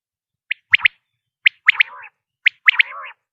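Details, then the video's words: Common quail call: a short lead note, then a rapid whistled double note, then a trailing lower buzzy rattle. Three such phrases come about a second apart. "quail sound effect.batair ki Awaz.common quail sound.صدای بلدرچین.صوت السمان ۔quail"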